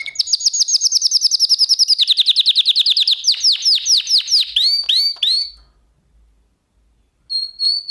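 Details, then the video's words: Canary song offered as a singing lesson for other canaries: rapid trilled tours of fast repeated high chirps, then a lower rolling trill, then slower swooping whistles, a pause, and a few more high notes. "kanarya için ötüş dersi"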